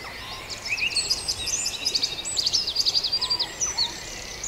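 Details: Farndale dawn chorus: a rapid, jumbled outpouring of high twittering and trilled notes from several birds, growing busier and louder toward the end, over a low background hiss.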